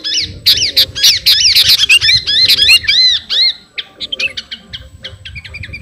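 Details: Sooty-headed bulbul, known locally as kutilang garuda, singing energetically to call a rival: a rapid, dense burst of bright whistled and chattering notes in the first half, then sparser, clipped chirps with faint background noise.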